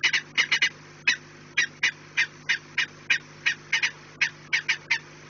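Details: Peregrine falcon at the nest, 4 March 2019, 16:28: a run of hoarse, abrupt kak notes, some in pairs, repeated at a relaxed pace, with a faint mechanical hum underneath.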